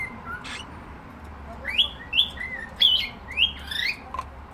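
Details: A cockatiel produces a string of harsh, upward-curving squawky whistles, some doubled, growing louder toward the middle, against steady low background noise.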